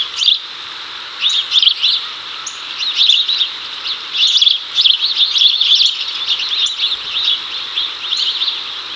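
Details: Chicago house sparrows in 2024, male calling the female over while they hunt cicadas: dense bursts of sharp repeated chirps, sometimes overlapping, with brief pauses between runs and a constant hiss behind.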